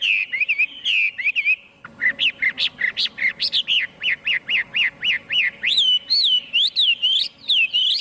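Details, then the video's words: Chinese hwamei singing, free of background noise: opening slurred whistles, then a rapid, even train of short rising-falling notes, closing with longer wavering phrases. "Tiếng chim hoạ mi hót không tạp âm mp3 . Suab noog coob quaj zoo dib ."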